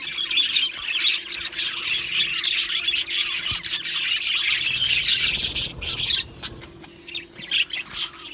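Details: Australian budgie colony in an aviary. Busy, buzzy chatter and clicking chirps pour out almost without a break for six seconds, then thin to scattered bursts, with a low hum behind.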